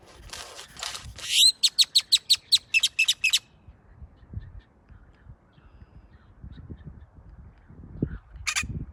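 A great-tailed grackle gives a fast series of about a dozen sharp, clicking and whistled notes over two seconds, then falls quiet; a brief rustle follows.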